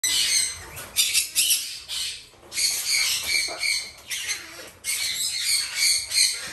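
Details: Three captive-bred female Red-shouldered macaw chicks, hand-fed and domestically bred in Japan, give harsh, raspy squawks in dense overlapping bursts of about half a second, nearly continuous with brief gaps.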